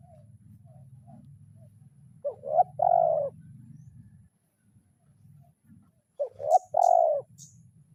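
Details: Spotted dove calling to a rival in the kuk 0-1 lure style. Two loud coo phrases, each with short rising notes and then a long falling coo, spaced about four seconds apart over a low steady hum and a few faint high chirps.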